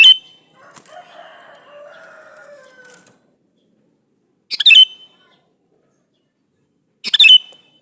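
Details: Lure recording of a male sooty-headed bulbul calling for a female: three abrupt, bright, bubbly bursts spaced two to three seconds apart, the first followed by soft warbling notes.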